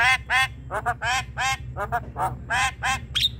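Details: Javan myna giving harsh, nasal, squawking notes in quick, uneven bursts, part of a lure recording to get a lazy myna singing; a brief thin whistle closes the sequence.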